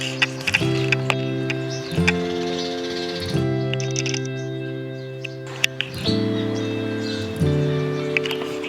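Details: Loud instrumental music with sustained chords and sharp percussive hits, no animal voice.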